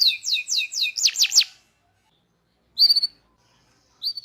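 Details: Local canary training song: a run of quick downslurred whistles and upswept notes, a long silence, then two short high flat whistled notes.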